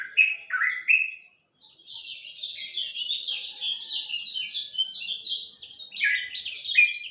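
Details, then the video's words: A lemon-bellied white-eye at dawn gives a few lower chirps, a brief pause, then a long rapid high warble of tumbling twittering notes that runs to the end. "Kicau Joss Kecial Kuning Subuh"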